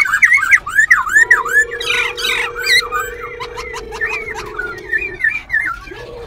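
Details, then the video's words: White-browed laughingthrush in a cage at Bình Chánh, Ho Chi Minh City, performing song with tail and wing dancing; quick series of swooping whistled notes and harsh chattering, with a long flat low tone in the background. "Khướu Bạc Má Bổi Lỡ Hót Múa Đuôi Cánh Đảo Giọng Liên Tục Siêu Đẳng Cấp. Quá Hay."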